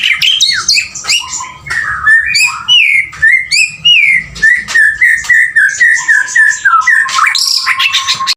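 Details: Male white-rumped shama in full song, with varied chattering and whistled phrases, then a long series of short, rising-falling whistles, about two per second, ending in a sustained low whistle.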